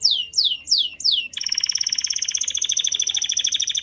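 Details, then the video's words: Canary song: four loud falling whistled notes, then a continuous fast buzzy trill with a bright upper tone. "Your Canary WON'T STOP SINGING After Hearing This!"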